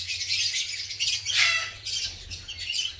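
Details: Masked lovebirds of the green type in a colony at breeding time: loud, continuous shrill squawks and chirps overlapping, with one sharp harsh call standing out midway.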